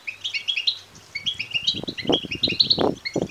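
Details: A chorus of young European goldfinches begging, thin high chirps tumbling over one another, joined in the second half by repeated dull thuds and rustling close by.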